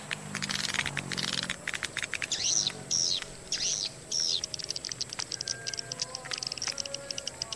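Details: Swiftlet call playback tested in Gorontalo, Indonesia, with swiftlets arriving from all directions: rapid, dry, high chirps and clicks, with a few arched, squeaky notes repeated about once a second in the middle.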